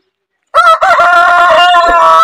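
A rooster gives a loud, strained crow beginning after half a second, its harsh, rich tone held steady for nearly two seconds.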